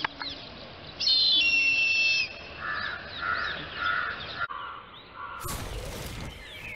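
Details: Indian grey hornbill calling in a Pune city neighbourhood: a harsh, high, drawn-out scream of about a second, then several shorter, lower, mellow notes in a row. A loud rustling clatter ends the recording.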